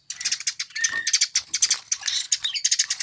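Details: Eurasian tree sparrow, popular with songbird keepers, in a dense unbroken run of rapid high chirps and twitters, with one short level whistle near the middle.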